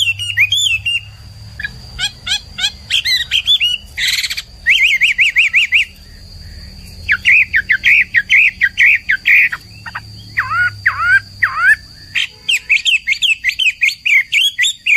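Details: Caged Chinese hwamei (Garrulax canorus) singing vigorously as a tutor recording, pouring out a loud, rich song of varied whistles, rapid trills and repeated note bursts, with a faint steady high tone and low hum behind.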